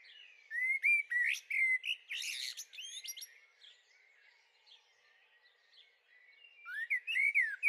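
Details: Garden recording of a young Eurasian blackbird (Turdus merula), 23 May 2013: loud rising whistles and scratchy twitters at the start, a quiet stretch, then sweeping whistled notes that return strongly at the end.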